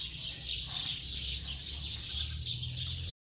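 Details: A flock of house sparrows in late afternoon gives a dense, unbroken mass of high, overlapping chirps and twitters. A steady low hum runs underneath, and the sound cuts off abruptly near the end.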